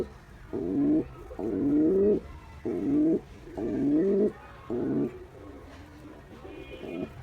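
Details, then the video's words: Male pigeon's courtship cooing toward a female: a steady string of guttural, rising coos about once a second, fading into softer murmurs toward the end. "Male Pigeon Cooing Sound To Female Pigeon"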